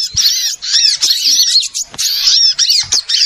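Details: Small birds in a lure recording for trapping: bursts of high chattering and squeaky arched notes lasting about half a second to a second, broken by short quiet gaps.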